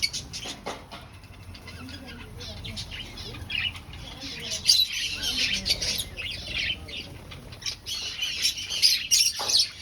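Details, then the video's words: Finches in an aviary breeding colony, looking for a nest, giving a busy stream of short, high chirps and squeaks that overlap irregularly, louder in the second half, over a faint low hum. "Finch Sounds"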